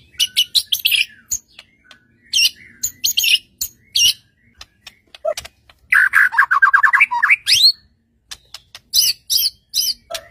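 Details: Song of a white-rumped shama meant to goad other shamas into singing: rapid clusters of high chattering notes, a long fast trill of rising strokes midway, then more scratchy bursts.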